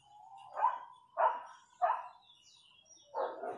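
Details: Chachalacas in the countryside, three loud harsh calls roughly half a second apart, each rising from a clear tone into a rough burst, followed by a longer grating call.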